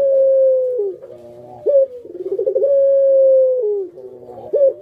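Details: Barbary dove kept by a bird hobbyist, pelung coo: a long level hoot falling away at the end, a quick bright upslurred note, then a bubbling trill swelling into another sustained, gently falling hoot.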